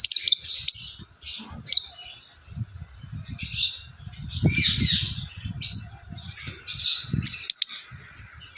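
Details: Yellow lovebird chirping in a continuous stream of high, sharp, squeaky notes and short twittering bursts, with brief pauses between clusters, over faint low rumbling and knocking noises in the background.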